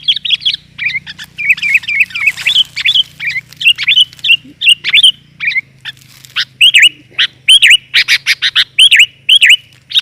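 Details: Sooty-headed bulbul female calling to attract males, a steady series of short bubbly warbled notes that dip and rise, given in quick succession with faint low hum in the background.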